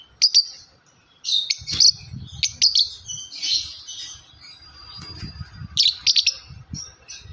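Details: Caged yellow lovebird chirping in short high bursts, clusters of sharp tweets and a thin sustained whistle, with soft low rustling and knocks beneath.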